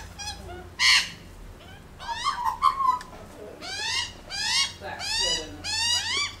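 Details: Australian magpies on a lawn, one dominant bird, calling in the family, give rich harmonic warbling notes that swoop up and down in bursts about once a second over a low hum.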